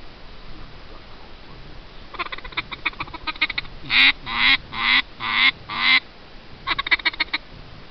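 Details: A flock of green-winged teal calling as they fly fast past, said to be moving about 60 miles an hour: a flurry of short, high, buzzy whistles, then five louder clipped notes about half a second apart; Eurasian teal.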